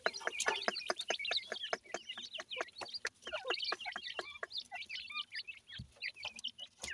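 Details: Young Pakistani teetar partridges being fed: many shrill, short cheeping notes tumbling over one another, punctuated by frequent dry pecking clicks and taps throughout.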